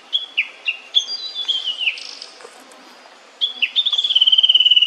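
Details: Immature Blue-and-white Flycatcher at meal time, singing clear high whistled notes with downward slurs in two bursts separated by a pause. The second burst ends in a fast, evenly pulsed trill.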